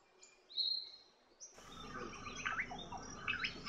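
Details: Shining flycatcher (Myiagra alecto), call.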